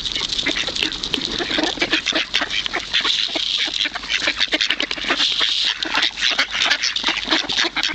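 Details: Hungry ducks crowding to be fed at the Kirchsee lake in Preetz, Germany: a dense, nonstop wash of overlapping quacks and raspy chatter from many birds, with a steady high hiss behind them.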